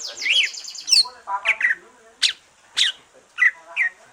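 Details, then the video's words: After moulting, a green leafbird sings to stimulate others: an opening buzzy rising warble, then separate sharp chirps and short slurred whistles spaced about half a second apart. "Kicau santai cucak ijo,,rangsangan cucak ijo selesai nyulam"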